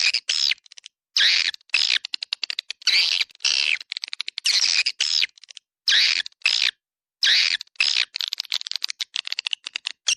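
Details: Swiftlet chatter used to attract swiftlets in a central swiftlet area: buzzy rattles broken by gaps, with runs of fast clicking chirps between them, in the 'Dua Bidadari' lure style.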